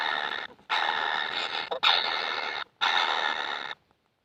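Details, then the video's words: Baby kingfishers that never seem to get enough food beg for it with three loud, harsh, rasping bursts, each close to a second long, separated by brief silent gaps. "BABY BIRD KINGFISHER ‼️ YANG TAK PERNAH KENYANG ATAS MAKANAN"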